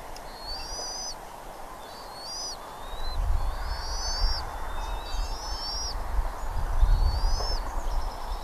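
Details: Bald eagles at Redding, 17 April 2021, 08:15 in the morning: a run of high, piping chattering squeals with short upward-sliding notes roughly every second, above constant broadband hum and low rumbles.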